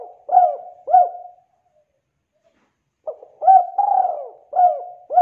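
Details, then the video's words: Spotted dove, called tekukur and described as gacor, used as a lure to get other birds singing: soft low coos around 700 in short phrases, a brief purring note and then two or three clipped coos, two phrases separated by a pause. "Tekukur Gacor untuk Pancingan burung macet bunyi!!"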